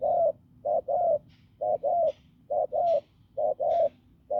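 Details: Strong, hoarse spotted dove caught in the fields, cooing in short-long note pairs roughly every 0.9 seconds, while faint high chirps from other birds sound in the background.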